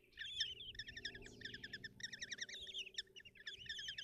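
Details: Kestrel chicks at a nest box in Tiszalök, Hungary, fed by their mother on a June 2024 morning: shrill, rippling trills run on in long chattering strings with brief breaks, a faint hum underneath.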